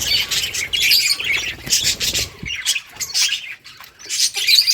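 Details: Several colourful budgies at play chatter in bursts of high chirps and squawks, with short quieter gaps between flurries.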